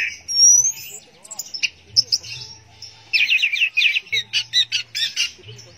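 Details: Orange-headed thrush, teler song style: a long clear whistle opens, then varied short phrases lead to a rapid run of sharp, chattering notes repeated several times a second near the end; a soft low hum runs beneath.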